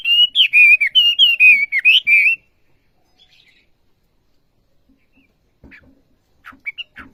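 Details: Olive-backed sunbird, locally called wambi, delivering a brisk burst of high wavering whistled notes for just over two seconds, followed by near silence with a few faint chips and knocks.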